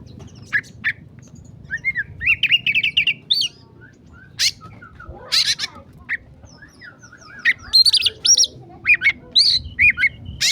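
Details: Oriental magpie-robin in agitated, emosi-style song from a masteran recording: scattered sharp bright notes and short rising whistles, with a cluster of upslurred chirps around two to three seconds, all over a faint low hum.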